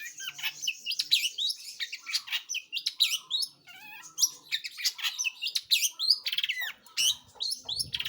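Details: Long-tailed shrike in energetic, varied song: a dense stream of high chirps, slurred whistles and scratchy chatter, with a brief rattling passage near the middle and a low rumble at the end.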